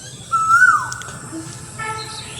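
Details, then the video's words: An Asian koel gives a single clear, whistled note that swells slightly upward, then slides down and fades, over a faint low hum. "কোকিলের ডাক"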